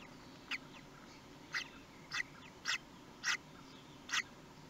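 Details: Common kestrels at their nest in Théding on 23 May 2020, the day of the first hatching. Faint, short, sharp calls repeat about every half second to second over steady background hiss.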